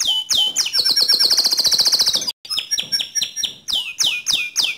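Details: White canary singing vigorously: sharp downslurred whistles, then a long rapid buzzy trill held high for over a second, a brief pause, and a series of repeated descending whistled notes.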